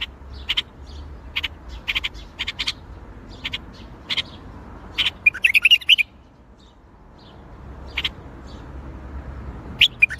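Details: Bulbul song in the Baghdadi style: crisp, clicking high notes in quick clusters, broken by a short twisting, warbling flourish, then a pause before the clipped notes resume.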